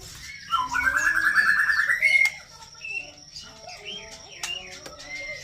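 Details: White-rumped shama singing: a long, rapid rising trill of bright whistled notes, then varied short whistles and sweeping phrases over steady background tones and faint voices.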